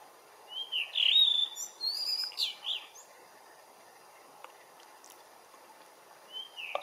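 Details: Morning-sun song of a blue rock thrush: a rapid run of sweet whistled notes and twirls lasting about two seconds, a pause with faint distant sounds, then the start of another phrase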